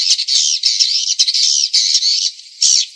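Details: Swiftlet call used to draw swiftlets in: a steady stream of buzzy, squeaky twittering notes, almost unbroken, ending with a brief pause and one final squawky burst.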